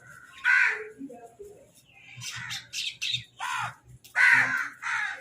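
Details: Crows eating and fighting over food: two loud, harsh caws about four seconds apart, with shorter rough calls and chatter from other birds in between.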